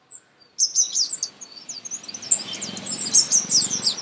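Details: Sunbird, a common Indian bird, in a garden: after a single early chip, a dense, continuous, very high twittering song runs on over a low background murmur.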